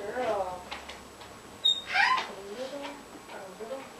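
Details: African grey parrot talking to itself indoors in near darkness, unaware of the camera: a run of speech-like harmonic phrases with a sharp click and a brighter, higher burst midway, in a quiet small room.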